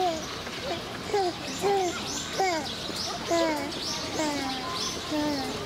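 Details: White-naped crane in captivity at Oji Zoo, Hyogo, Japan, 27 October 2019: repeated clear, down-slurred honking notes roughly every half second to a second, among chattering visitors and children's voices.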